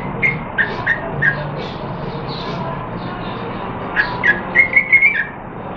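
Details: A Yellow-vented bulbul singing and learning different songs, recorded 14 September 2021: short, bubbly whistled notes near one pitch, a loose run of about six, a pause, then a quicker run of six, over a low hum.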